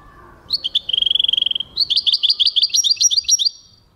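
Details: European goldfinch singing in 2023: a run of quick twittering notes, then a steady trill of rapid buzzy pulses, followed by bright, liquid chirps in fast succession, with a faint hum behind.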